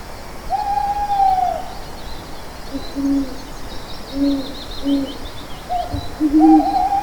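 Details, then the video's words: Owl calling with low, soft hoots, a higher wavering hoot at the start and end and short paired notes in between, with faint higher chatter in the background. "Owls Videos"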